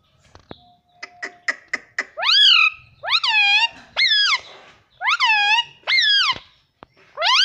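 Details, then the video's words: A pet parrot talking. A few sharp clicks come first, then a series of loud, clear, rising and falling voiced notes, each about half a second long, in a quiet indoor space. "parrot talking everything"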